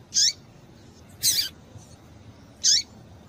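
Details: Rusty-collared seedeater female giving three short, high, thin calls, each with a quick downward slur, about a second and a half apart; such calls are used to stimulate males to sing.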